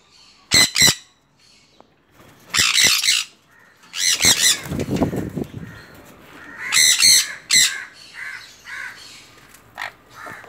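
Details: A 5-month-old sun conure gives loud, harsh, grating screeches in short bursts.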